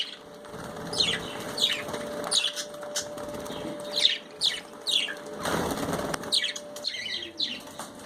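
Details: Repeated short downward chirps from budgies enjoying their bath, spaced roughly half a second apart, over continuous splashing and occasional louder water bursts.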